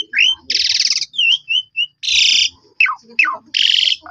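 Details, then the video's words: Black-collared starling singing as bait for other starlings: harsh rasping bursts alternate with slurred whistles and steeply falling notes, and the loud harsh blasts return roughly every second. "JITU Memancing Jalak Suren Lain Langsung Bongkar Isian Nyaut Suara Panjang"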